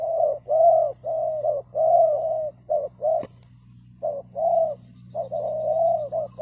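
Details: Decoy spotted dove calling to lure others into a trap, delivering runs of mellow cooing notes, long and short mixed, pausing once mid-series, over a low constant hum and one sharp click.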